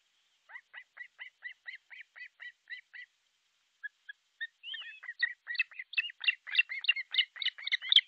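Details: At an artificial osprey nest in Pohjois Satakunta, Finland, July 6, 2023, 12:31, nest camera: regular soft whistled chirps, a pause with a few single notes, then a louder, denser chattering run of overlapping calls.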